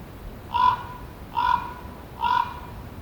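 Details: Three evenly spaced hoarse croaks from a common raven, one every 0.85 seconds or so, each brief, harsh and nasal, with only soft background hiss between them.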